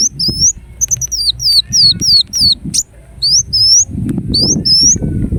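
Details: Indonesian ruby-cheeked sunbird singing: a rapid run of thin, high, upward-sweeping whistles, then spaced pairs of the same notes, with low scuffling noise underneath.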